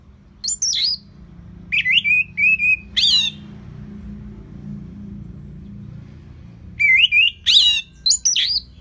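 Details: Caged orange-headed thrush from northern Bali, kept to coach other birds: loud, clear whistled phrases with sweeping slurred notes in two bursts separated by a pause of several seconds, faint low hum beneath.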